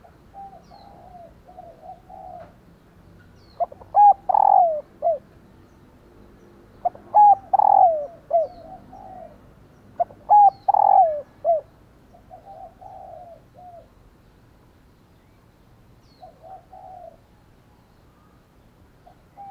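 A female spotted dove gives soft, mellow coos in repeated phrases, cooing to stir males into calling.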